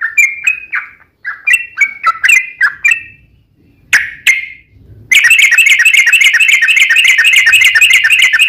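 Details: Sooty-headed bulbul giving a fighting song, used as a lure to get other bulbuls singing: bubbly whistled notes rising and falling in short bursts, then a long, fast, buzzy run of rapid notes that keeps going without a break.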